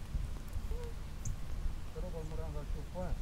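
Slender-billed Gulls give short, nasal, slightly arched calls, a single one early and then a quick cluster of several, over a heavy low rumble of wind.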